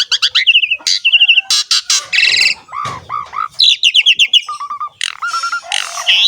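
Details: Asian pied starling singing to train and lure other starlings: quick sequences of sharp repeated notes, fluty descending whistles and harsh rasping bursts, with a brief low rumble in the middle.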